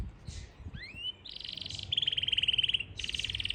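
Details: Yorkshire canary in Parachinar gives a rising whistled slur, then long buzzy metallic trills of rapidly repeated notes, broken by a short pause before resuming.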